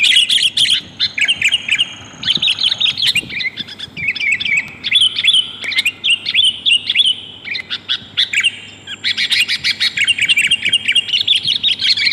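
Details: Female sooty-headed bulbul calling the male, a lure for wild bulbuls: long loud sequence of rapid chirps and twittering phrases, with only brief breaks.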